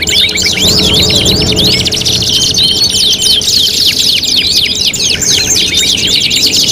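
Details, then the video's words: Canary singing as five-in-one tutoring material for competition: continuous overlapping trills, zigzag chirps and fast rolling phrases at high pitch, unbroken throughout. "MASTERAN KENARI MATERI GANTANGAN LOMBA 5 IN 1 | CANARY SINGING"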